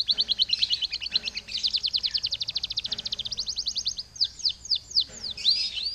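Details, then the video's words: Lure song from a canary for prompting other canaries to sing: long runs of fast pulsed trills in several phrases, ending with loud downward-swept notes, high and bright. "PANCINGAN SUARA KENARI GACOR"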